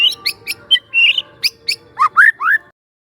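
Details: Young wild forest white-rumped shama in relaxed lure song: sharp high ticking notes and a short trill, then three loud, rich slurred whistles, falling and rising, before the song stops.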